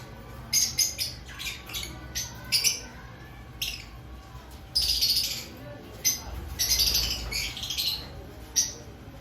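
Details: Lovebirds in an aviary ahead of breeding season, bursts of shrill chattering chirps, some notes strung into brief rapid runs, gaps of quieter background between them.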